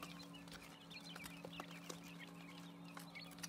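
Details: Quail chicks six days old peep continuously, thin high notes repeated irregularly, beneath them a constant low humming drone and light tapping sounds.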